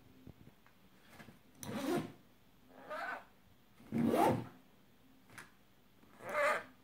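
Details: A pet rainbow lorikeet imitates a zipper sound with raspy, broadband zipping bursts, about four in seven seconds, each a rough rising swish much like a zipper being pulled, in a quiet room.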